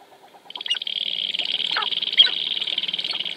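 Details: A Sharp-tailed grouse dances at Wainwright, Alberta, in 2015. After brief faint ticking, a steady, fast, buzzy rattle begins and keeps going, broken by a few lower, quick chuckling notes.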